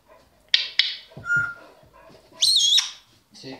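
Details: Pet African grey parrot indoors, mimicking while telling the dog to get out of the living room; a short pure whistle, then a loud high wavering whistled phrase, with clicks and soft voice-like murmurs between.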